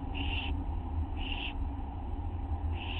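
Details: Young owl in the nest at night, August 9, 2011, being fed a small mouse by its parent; three rasping hiss-like bursts, each about half a second, over constant low background rumble.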